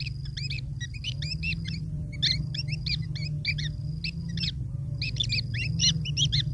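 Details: Nestling long-tailed shrikes waiting for food brought by their parent give clustered raspy chattering notes in uneven groups, separated by short pauses, over a steady low droning background.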